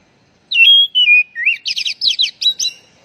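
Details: Oriental magpie-robin song used to stimulate a stressed bird that stopped singing: two drawn-out falling whistles, a rising slur, then a quick string of sharp, buzzy, repeated chirps on a quiet background.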